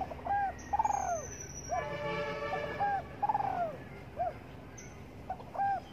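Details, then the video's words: Spotted dove cooing while sunbathing in the morning: mellow, low coos in repeated phrases. Each phrase is a short note and a longer note that rises and then falls, with a thin high whistle above and faint background noise. "Cu Đất Gáy Gù Phơi Nắng Sáng"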